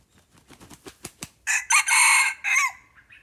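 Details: Red junglefowl crowing while being lured with a decoy bird: a run of rapid wing-flapping thumps, then a loud, harsh crow in four bursts, the last trailing off, over a quiet background.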